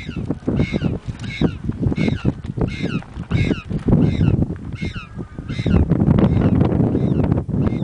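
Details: At Punta Tombo, Argentina, penguin chicks scream for food from the mother. Series of nasal, upward-bending harmonic squawks come in quick bursts, some overlapping, with one longer drawn-out cry midway, over constant low wind rumble.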